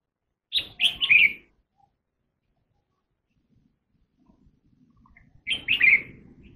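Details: Red-whiskered bulbul delivering two loud warbling phrases of three or four notes each, about five seconds apart, with a soft rustle before the second phrase.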